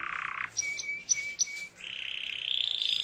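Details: Canary song: a low rolling trill, then a few clear, short whistled notes, then a long, fast, higher-pitched trill that climbs slightly toward the end.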